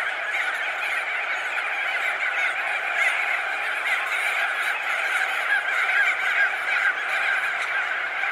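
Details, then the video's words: Thousands of crested auklets, perched and wheeling, form a dense, unbroken chorus: countless honking, trumpeting calls overlap into a steady, nasal roar with no gaps. "Crested Auklet. MC - MCU Calls From Thousands Of Birds Perched And Wheeling"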